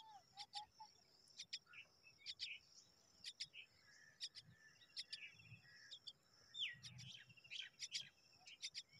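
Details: Begging common myna chicks, hungry and waiting for their mother, keep up a steady stream of high, rasping doubled chips for several seconds. Faint low rumbling runs underneath.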